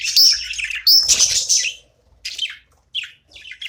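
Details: Budgerigar chirping during playtime: two loud, buzzy warbled phrases open the sequence, followed by shorter, softer chattering bursts separated by gaps of about half a second.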